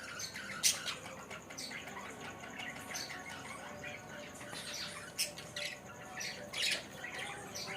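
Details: Budgerigars at a mini zoo farm, at the start of breeding time, chatter with sharp, high squawks and chirps, several birds calling over one another.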